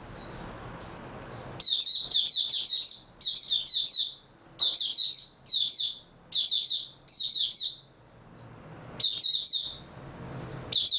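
An Oriental white-eye sings in rapid bursts of high, twittering notes, each phrase lasting about a second with brief pauses between, close and clear.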